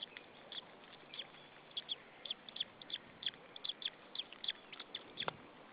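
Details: Nestling white-tailed eagle in Saunja, Estonia, chirping on the nest ahead of a feeding in April 2013; a steady series of brief sharp high peeps, roughly two or three per second, ending with one stronger downward-sweeping note.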